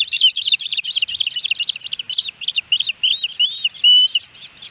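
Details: Ospreys at the Hellgate Canyon nest in Missoula, Montana, on July 13, 2018, a day with three fish deliveries to the pair and their chick. Rapid, dense high chirps tumble over one another, ending in a few longer, drawn-out whistled notes.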